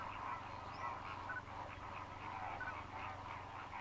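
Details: Migrant greater flamingos feeding in Mannar Island lagoons, Sri Lanka, during the dry season: a continuous wall of overlapping goose-like honks and chatter from the large fishing flock, with no pauses.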